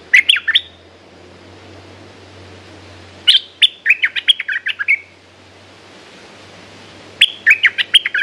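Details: Red-whiskered bulbul kept in a cage, giving three bursts of quick, bright warbled chirps about four seconds apart. A low hum runs underneath.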